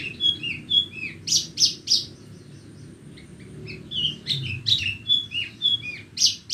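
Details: Horsfield's bush lark of Borneo singing on a bright morning, alternating whistled slurs and sharp, loud chirps in a lively varied phrase, brief pause, then repeated.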